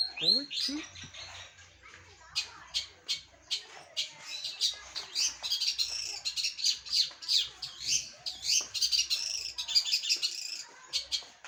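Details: Long-tailed shrike (cendet), a finished trained bird, singing at full volume. After a few falling whistles comes a dense chattering stretch of rapid, scratchy high notes and buzzy bursts repeated several times a second, with faint low background thumps.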